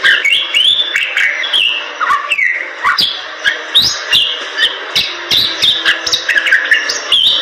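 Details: Bali myna, a starling of western Bali's forests, in energetic 'gacor' song: varied whistles, downward-slurred notes and scratchy bursts tumbling quickly one after another with brief clicking accents throughout.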